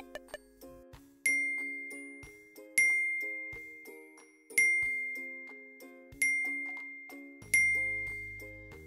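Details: Bright glockenspiel chimes ring out in a repeating jingle over soft tones, with no animal sounds.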